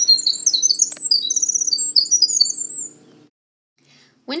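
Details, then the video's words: Male Winter Wren, a short-distance migrant, sings early in the season from an elevated understory perch at Manchester Cedar Swamp Preserve, New Hampshire: a rapid, tumbling cascade of high trills and tinkling notes for about three seconds, over a low hum. "They have a long, beautiful and complex song which males sing often earlier in the season from an elevated perch in the understory."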